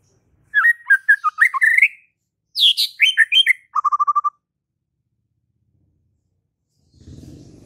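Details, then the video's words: Loud, varied song of a White-rumped shama: tumbling whistled phrases, a higher swooping phrase, then a rapid string of identical clipped notes, before a low murmur of background noise. "JADIKAN MURAI BATU BISU SEKETIKA NYAUT DAN GACOR"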